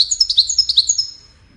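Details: European goldfinch in the Widani song style, played so chicks learn it: a short burst of rapid, bright, high twittering notes over about a second, then fading.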